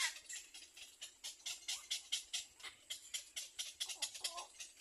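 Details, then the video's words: A little egret chick bites its mother's bill, giving a steady run of dry, raspy clicking notes about four or five per second, with a brief nasal squeal near the end. "little egr baby bird bites mother's mouth loudly"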